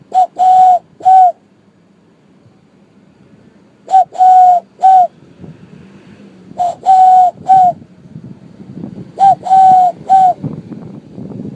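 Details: Dove calling in clear, loud, hollow cooing phrases: groups of two to three short steady coos, repeated about every three seconds, with a soft low hum in the background.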